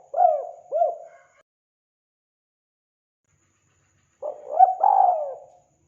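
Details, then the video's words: Spotted dove cooing vigorously: two short, hollow, bent coos, then a silent gap of about three seconds, then a quick run of low coos ending in a longer, drawn coo. The background is otherwise silent. "Suara burung tekukur gacor"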